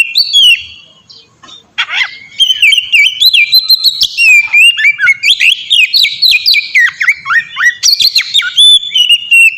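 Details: Oriental magpie-robin singing in open, full-voiced style for training birds: a dense stream of sweet whistles, trills and sharp upswept notes, with a harsh buzzy call near the start.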